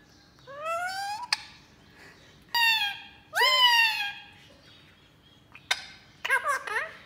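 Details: Pet Indian ringneck parakeet at home, talking to a new baby ringneck in the house. It gives bursts of harmonic, speech-like syllables, several sliding upward, separated by pauses, with a few sharp clicks in between.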